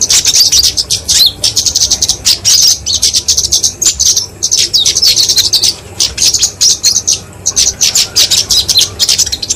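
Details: Fighting song of a flowerpecker, kemade, sung to train and lure other songbirds; high-pitched sizzling twitter runs almost without break, sharp ticking notes packed together, a few short gaps between phrases.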